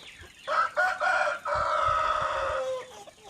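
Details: Decoy rooster crowing around 6 pm: a loud, drawn-out crow with a couple of short opening notes, then a long steady note of about two seconds that drops and fades at the end. Faint low background noise.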